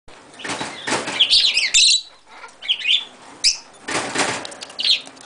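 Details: A pet blue-masked lovebird let out of its cage to fly indoors, flying clumsily, gives shrill, squeaky chirps in short bursts between loud whirring wingbeats.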